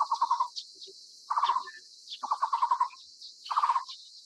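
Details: A Taiwan barbet feeding its chick in Taiwan gives four rattling bursts of quick, low, pulsed notes spaced about a second apart. A continuous high hiss runs underneath.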